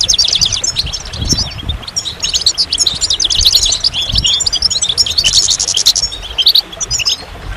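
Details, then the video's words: Goldfinches in full song, a lively stream of sharp chirps, rising and falling twitters and buzzy trills, with a short noisy hiss toward the end. "Magical Goldfinch Songs"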